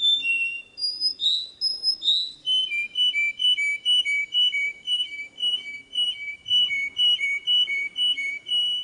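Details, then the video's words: Canary singing a song for teaching young birds: high gliding whistles step down into a steady run of clear, paired, whistled syllables repeated about twice a second, with soft faint background rumble. "Chant Canari Super Pour l'écolage des jeunes sans fautes"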